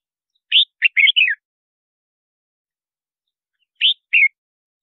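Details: Luring song of a red-whiskered bulbul, used to call wild birds and practise singing: one lively phrase of four warbled whistles, then after a long pause a shorter two-note fragment.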